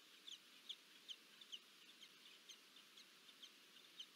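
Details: Peregrine falcons meeting as a pair, Anacapa, USA, 26 July 2024, on a nest camera: a quick series of short, high, clipped notes, some paired, coming two or three times a second against constant hiss.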